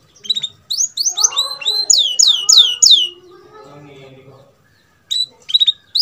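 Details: Bred F1 canary singing: bursts of bright, high descending whistled sweeps and rapid trills in two bouts separated by a pause, with softer lower warbling and a murmur of voices between.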